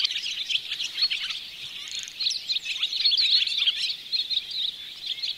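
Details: Barn swallows heard from a bird hide at Oostvaardersplassen, September 2016, on a Panasonic Lumix GH4: a steady, busy stream of high, squeaky twitters and short chirps, several birds overlapping, with brief louder bursts midway.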